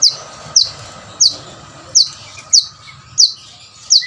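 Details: Plain-throated sunbird singing in full, lively voice to stir lazy birds into song: sharp, very high downward-slurred notes, one every half second or so, over a faint steady hum.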